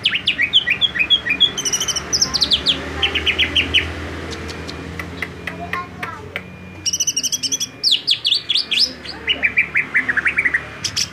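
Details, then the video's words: Agitated greater green leafbird song used as a training recording: bursts of quick, high whistled and chirping notes, some sliding down, in rapid runs separated by short pauses, over a low steady hum. "dijamin cucak ijo langsung ngamuk"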